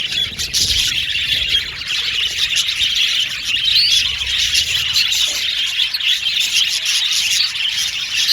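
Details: Colony of male violet budgies in an aviary keeping up an unbroken wash of shrill chirps and warbling twitters, with occasional brief upward whistles standing out from the crowd.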